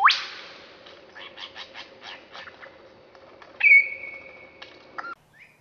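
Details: Lyrebird echoing forest sounds: a sharp upward whip, soft evenly spaced ticking notes, then a loud long steady whistle ending abruptly with a brief faint note.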